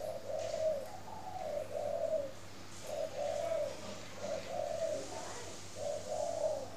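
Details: Spotted dove kept at a bird garden in Ba Vi, Hanoi, northern Vietnam, cooing in the morning: low, mellow phrases of two or three hooting notes, repeated roughly every two seconds, with a steady faint hum behind.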